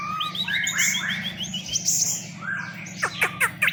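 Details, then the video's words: Long-tailed shrike song: varied chattering phrases of short rising notes and whistles, ending with harsh scratchy bursts, over a steady low mechanical hum. "srigunting abu"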